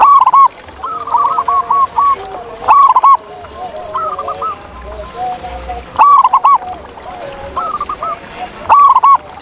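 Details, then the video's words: Wild zebra doves singing in nature: short, rolling, mellow cooing notes in quick clusters, with louder phrases bursting out about every three seconds and softer overlapping cooing from several birds between them. "Ini Dia Suara Asli Perkutut Liar di Alam!"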